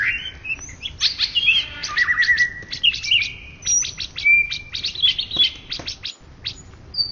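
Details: Greater green leafbird, national champion in Indonesia for 2013–2014, sings a lively mix of sharp clicks, chirps and clear long whistles, some falling, others held level, in a continuous, energetic high stream.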